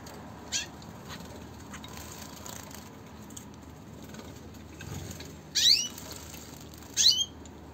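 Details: Zebra finches bathing. One gives a few short, nasal, honking calls against a soft, steady background hiss.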